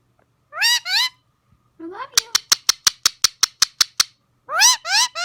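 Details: A talking Indian ringneck parakeet in front of a mirror gives short, rich, speech-like phrases, then a rapid run of about a dozen sharp clicks, then more chattering phrases.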